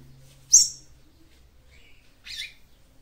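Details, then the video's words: Female seedeater calling to stimulate the male: one bright, sharp high chirp, a pause, then a softer buzzy note, with a low steady hum underneath. "CANTO DE FÊMEA PAPA CAPIM PARA ESQUENTAR SEU MACHO"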